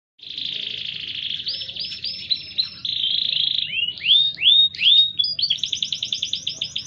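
A canary sings a long unbroken stream of high trills and rolls, with quick upswept whistles, ending in fast repeated notes. A faint low hum sits underneath.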